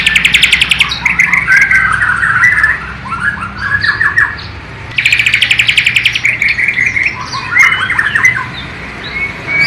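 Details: White-rumped shama of the Borneo type from East Kalimantan, singing a song filled with imitations of the sikatan londo flycatcher and nightingale, recorded with a low-resolution camera; two loud bursts of rapid rattling, buzzy trills give way to quieter whistled and chirping phrases.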